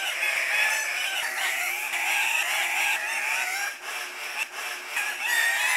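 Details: Male Andean cock-of-the-rock at a lek, competing for females: rapid, overlapping harsh squawks and bent nasal notes from many birds, briefly thinning near the middle before the chorus returns at full strength.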